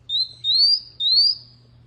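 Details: Canary giving three bright upward-sliding whistles, each about a quarter to half second long, with a soft low hum beneath.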